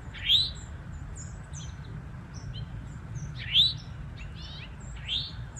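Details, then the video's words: Eastern towhee in woodland, male and female present, male singing to defend nesting territory; three strong rising slurred notes spaced about three seconds then one and a half seconds apart, faint high twitters from other birds between. "Territorial Songs And Calls?"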